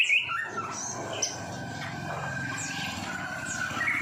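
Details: Caged white-rumped shama heard in a tutor recording for training songbirds, giving scattered high whistles, sharp downslurred notes and a few rising chips over a steady low background hum.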